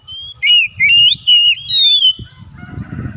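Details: Oriental magpie-robin song used as a daily lure to get reluctant birds singing: loud, clear whistled phrases sliding and warbling around a high pitch, four bursts in quick succession, over low thumping background noise and softer chatter at the end.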